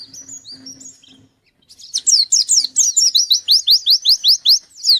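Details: Singing white-eye challenging a rival: after a few soft high whistles and a pause, a loud fast series of sharp descending chirps repeated about three per second.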